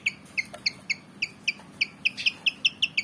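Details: Javan fantail, black and white and eager to fight, repeats a clean, short, upslurred chirp about four times a second against a low hum.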